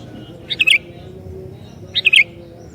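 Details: Sooty-headed bulbul song meant to provoke other bulbuls: two short, rolling, liquid phrases about one and a half seconds apart, each of three quick notes, over a noticeable low background rumble.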